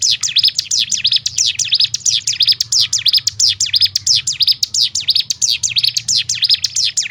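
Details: Ciblek gunung, the bar-winged prinia, delivering a close-packed 'ngebrem' song used to stir up rival birds of its kind: an unbroken run of sharp, high, down-slurred chirps repeated evenly, with a faint low hum beneath.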